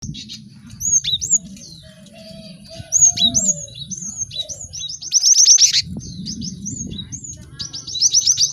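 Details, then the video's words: Several cinereous tits in a busy training recording for caged birds: high chirps and upslurred whistled notes in bursts, dense rapid trills near five seconds and at the end, over a low hum. "Pacingan gelatik batu ramai untuk maksimalkan burung belajar cepat bunyi"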